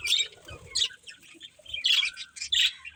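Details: Playful pet budgies giving short, bright bursts of high chirps and squeaky warbles separated by brief quieter gaps, with faint soft rustling underneath.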